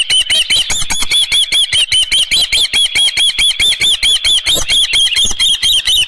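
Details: Osprey calling at the nest with a live fish at 7:32 AM, 24 June 2018, on a ranch; insistent run of shrill, slightly rising whistled notes, over two per second, continuing without pause.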